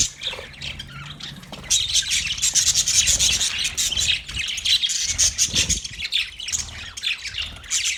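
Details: Chirping parrots, 20 November 2023: rapid, rasping high chatter that starts softly, then swells into a steady, crowded stream of squeaky notes from several birds.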